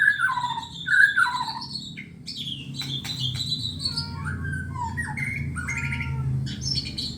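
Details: White-rumped shama prepared for song contests, delivering a rich varied song of whistled phrases, sharp clicks and rapid trilled notes, some rising and falling, with a faint low background hum.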